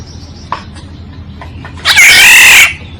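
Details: Oriole, from a decoy recording: a few soft clicks, then one loud, rasping, nasal squawk lasting under a second near the end.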